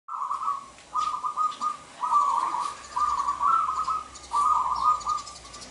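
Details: Local zebra dove singing vigorously from its perch, used to call males for trapping: a run of rolling, trilled coos at a steady mid pitch, about six phrases in under six seconds, each a short burst with brief gaps, faint background hiss.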